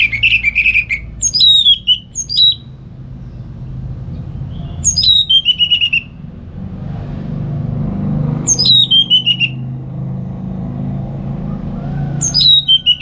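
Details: Morning song of an orange-headed thrush used to teach other songbirds: short phrases of descending whistled notes stepping downward, delivered roughly every four seconds over a steady low background rumble.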